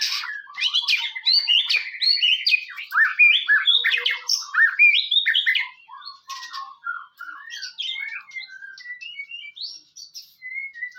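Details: White-rumped shama song used to provoke other shamas into singing, with sharp 'cess plengg' notes: a dense, fast jumble of chirps, trills and short whistles, loud for six seconds, then softer scattered whistled phrases.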